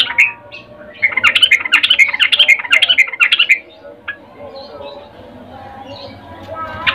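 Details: Female sooty-headed bulbul calling for a male in mating condition: a dense two-and-a-half-second run of quick chirpy, warbling notes, then faint scattered calls over quiet background.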